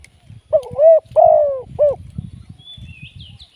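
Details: Live decoy spotted dove, kept for trapping, utters one three-part coo: short, long and falling, then short. Steady low rumbling noise sits beneath it, and a faint high bird whistle is heard near the end.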